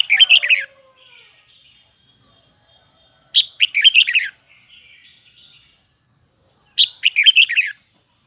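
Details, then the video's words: Red-whiskered bulbul of the Hue type singing in a high, double, twisting voice: three short, loud phrases of rapid warbled, chirping notes, one about every three and a half seconds, with faint softer chatter between phrases. "CHÀO - MÀO - HUẾ Bung giọng nghe cực đã || Giọng cao kép xoắn nghe mãi không chán"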